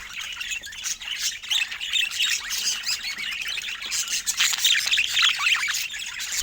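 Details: Budgies give continuous dense, high-pitched warbling and chirping, many overlapping scratchy notes and quick squeaks without a break, some louder flurries toward the end.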